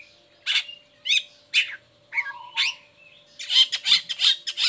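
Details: Lure song of a long-tailed shrike for moulting or lazy birds. Separate rasping notes and a low buzz give way to a rapid burst of harsh chattering at the end. A steady hum runs throughout.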